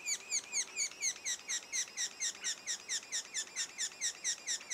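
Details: Steady, metallic, falling chirps, about two per second, come from a sapsucker nest two days before the first young leave, with a faint low hum in the background.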